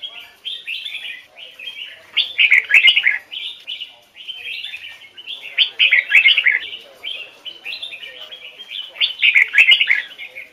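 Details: Trained red-whiskered bulbul singing in the standard voice with the double-note style of the Hoài Sơn forest: bursts of quick warbled, chirpy phrases come about every three to four seconds, mixed with sharp clicks and softer chatter in between.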